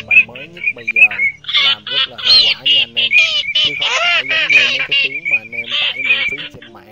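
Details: Tern flock recording from August 2023, used as a night lure for migrating birds: harsh, nasal notes repeated rapidly and overlapping, many birds calling at once over a steady high whistle.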